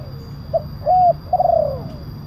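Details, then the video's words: Spotted dove (tekukur) lure call: a short note, a flat hollow coo, then a long rolling coo descending in pitch, over a constant low hum. "Suara pemanggil burung tekukur kuk 1 penguku suara besar"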